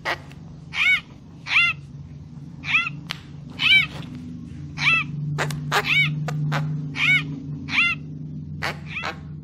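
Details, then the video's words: Lure call of a Papuan magpie-robin: nasal, bowed harmonic notes repeated roughly every second, with a few crisp clicks between them over a faint low hum. "Suara Pikat Burung Murai Papua Full Gacor"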